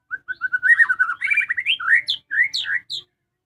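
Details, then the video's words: Caged white-rumped shama kept at home, singing: short whistled notes speed into a rich warbling run, then loud rising and falling whistles that climb high and end in sharp upswept notes. "suara merdu burung muray batu rumahan"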